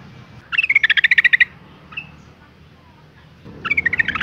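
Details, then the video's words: Female yellow-vented bulbul call meant to stir males into singing: a fast, even rattle of about fourteen bright chipping notes, a lone thin note, then another rapid chatter starting. "suara panggilan burung trucuk betina gacor ngalas tercepat mancing emosi trucukan jantan agar bunyi"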